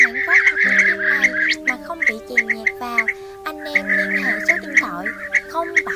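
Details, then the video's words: Blue-tailed bee-eaters chatter in a dense flock, a recording used to call flocks in to roost or feed. Rapid rolling trilled 'prrip' notes overlap several times a second, over steady low musical tones. "Tiếng Chim Trảu Đuôi Xanh"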